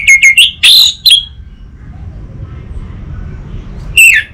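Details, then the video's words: Orange-headed thrush, an untrained bird used to lure and tutor others, gives a quick cluster of sharp, loud whistles with a ringing upward slur, then falls quiet amid low murmur before one final clear note. "Pancingan dan Masteran Burung ANIS MERAH Bahan"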